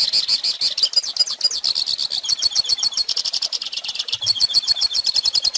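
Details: For teaching young birds, a Hooded Siskin sings a continuous, fast chattering warble of high, squeaky notes and wavering trills, delivered densely from start to finish.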